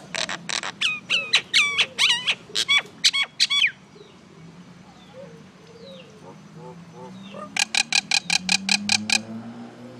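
Common myna giving loud, harsh, chattering calls with sharp upslurred whistles, then a rapid series of about ten clicking notes; faint background chirps.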